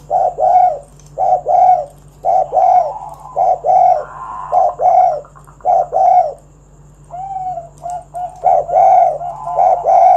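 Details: Spotted dove cooing to draw other doves into song: a run of deep, rounded coo notes repeated about once a second, with a brief softer rising note midway and a faint constant background hum.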